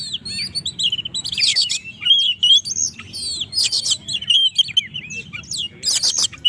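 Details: Oriental magpie-robin, singing vigorously to provoke rivals; dense run of sharp whistles, curving slurred notes and loud raspy bursts in quick succession, with faint low hum beneath.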